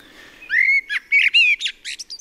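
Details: Blackbird singing a well-articulated, melodic phrase: a few rich whistled notes followed by quick, scratchy high squeaks. This brief closing flourish, the thrush squeak, comes only at the end of some strophes.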